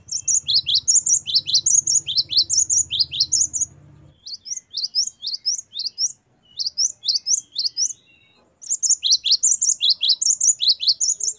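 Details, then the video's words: Great tit, gelatik batu, in 'gacor wucit variasi' song meant as a master recording for captive songbirds: three bursts of fast repeated two-note whistles separated by short pauses, with a low hum during the first burst. "Gelatik batu gacor wucit variasi. Great tit. Singing birds."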